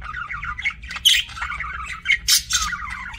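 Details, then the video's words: Budgerigar chirping in quick bursts of warbled, rising squeaky notes and a couple of louder harsh chirps, over faint low hum. "BUDGIE CHIRPING SOUNDS"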